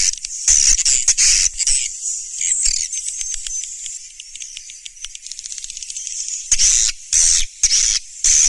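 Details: Swiftlet calls used as a lure: loud buzzy twittering bursts at the start, a quieter stretch of rapid clicking ticks in the middle, then strong chirp bursts again near the end.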